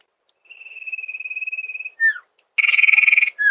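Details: Master recording of a sirtu, also used to lure birds in paddy fields: a long steady high trill ends in a downward-slurred whistle, followed by a harsher, broader buzzing burst and another falling note.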